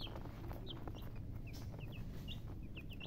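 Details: Baby chickens chirping: many short falling peeps scattered irregularly from several chicks, set against a steady low rumbling background with clicks and knocks.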